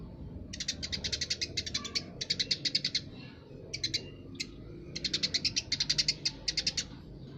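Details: Eurasian tree sparrow in lively song: fast trains of sharp, high chirps delivered in short clusters with brief gaps, steady and insistent over several seconds, with a soft low background hum.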